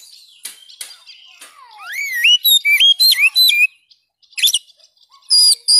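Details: Quiet faint notes build into loud Oriental magpie-robin song, sweeping whistles and clipped chirps in quick succession, then scattered high chips, from song used to revive singing in kept birds.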